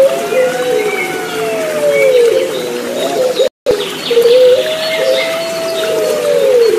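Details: Puter Pelung turtle dove song mixed with gently trickling water as relaxation therapy for birds that have stopped singing. Long, smooth, drawn-out coos that swell and dip in pitch, with a brief silent gap midway.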